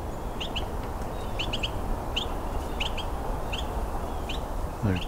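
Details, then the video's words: Two Carolina wrens calling in winter during a Christmas Bird Count, one close by and one further away; short, high paired notes repeat roughly every half second to second, over steady low background rumble, with a brief voice at the end. "two of them making this sound one close by and one further away"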